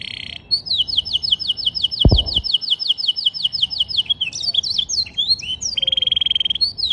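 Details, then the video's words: Canary singing a song filled with blackstrut phrases: a fast run of identical high chirps, roughly five per second, then varied whistled notes and a steady buzzing trill, with one dull thump midway. "Pesona Kenari isian Blackstrut"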